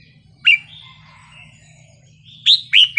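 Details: Red-whiskered bulbul performing a wild-style song to excite birds: a loud whistled note, a long soft warbling gap, then two more bright, downslurred whistles in quick succession, over a faint hum.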